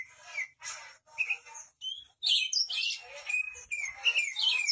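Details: Kacer, the Oriental magpie-robin, singing 'gacor' as a vocal tutor for other birds: clean high whistled phrases alternating with harsh buzzy chatter, a few short pauses early, then a continuous rich medley with rising and falling whistles.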